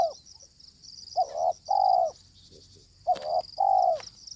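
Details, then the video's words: Wild, aggressive spotted dove drawn in by a decoy bird gives low, burry cooing: a short note then a long drawn croo, the pattern repeated twice, over a steady high-pitched insect drone. "Pikat tekukur ketemu tekukur liar garang"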